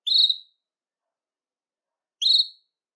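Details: Belgian canary singing to stimulate males and bring females into breeding condition: two clean, high whistled notes with bright overtones, each about a third of a second, separated by two seconds of silence.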